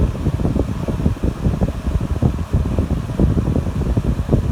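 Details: Rumbling fan and wind buffeting fill the room, with no animal calls.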